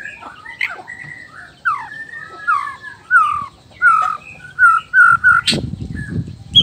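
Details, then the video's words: Male white-rumped shama, black-tailed form from Nias, whose song goads other males: sweet slurred whistles, then emphatic downslurred notes repeated nearly every half second, ending in a burst of noise. "suara alam khas murai batu blacktail,ekor hitam,nias..suara ini bisa bikin auto emosi murai lain.."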